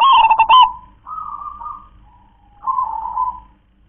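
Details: Single song phrase from a local zebra dove in the kong-klar-ke-tek-kong style: one loud staccato burst, then two softer trilled coos with a short pause between them.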